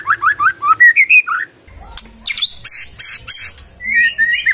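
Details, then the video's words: Magpie-robin singing: a run of rising whistled notes repeated quickly, then harsh buzzy squawks and scratchy bursts, ending with a long upslurred whistle. "Murai Nyaut Gacor"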